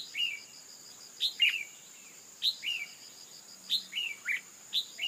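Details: Calls of a female red-whiskered bulbul, played to make the male sing: brisk doubled notes, high chip then lower slurred whistle, several pairs in quick succession, with a continuous high insect buzz underneath.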